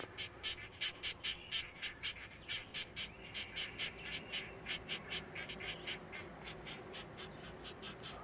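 Young Pileated Woodpeckers give a steady run of harsh, raspy notes, about three each second, high-pitched and even in rhythm throughout.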